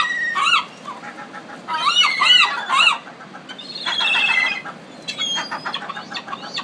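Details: Pacific city gulls calling, several overlapping harsh, arched squawks with a few drawn-out mewing cries, birds close by in an urban setting.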